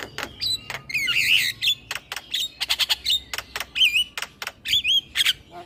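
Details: Male Javan myna used to lure starlings: busy sequence of sharp clicks, wavering warbled whistles and squeaky trills, repeated in quick bursts with brief pauses.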